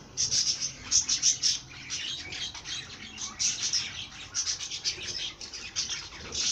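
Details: Rapid series of sharp, high chirps in quick clusters from a singing bird, with a lively, fluttering rhythm.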